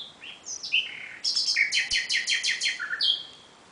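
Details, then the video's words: Nightingale song at night, starting with high whistles and sliding notes and running into a series of loud, rhythmic, repeated chopping notes, about seven in a row, closed by a high whistled note. "Κελάηδημα Αηδονιού στη νύχτα ( Nightingale )"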